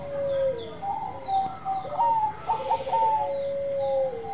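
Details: Bangkok zebra dove in full song, with long level cooing tones that drop at their ends and overlap with other stepped, quavering coos.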